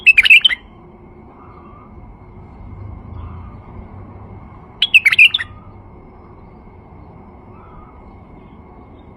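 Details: Male white-eared bulbul song meant to attract other bulbuls: a short chattering, whistled phrase at the start and another about five seconds later, with quiet pauses between.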